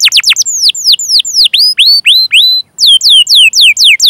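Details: Canary song for stimulating other canaries into singing, series of loud clear whistled notes, some falling steeply, others rising, repeated about four per second with a short pause midway.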